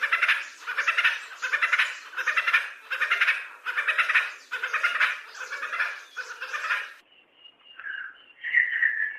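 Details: Rapidly repeated harsh k-or-quack notes of a male Red Spurfowl, rasping and loud, given in a steady series of about nine beats, ending with a few softer, clearer notes.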